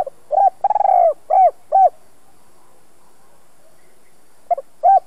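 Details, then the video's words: Decoy spotted dove with a two-ending 'giọng đồng' voice, cooing to stimulate decoy training. One full phrase of quick stuttering notes, a long warm coo and two short endings, then a new phrase beginning after a pause. "Chim cu gáy hai hậu giọng hay kích bổi tập mồi hiệu quả nhất"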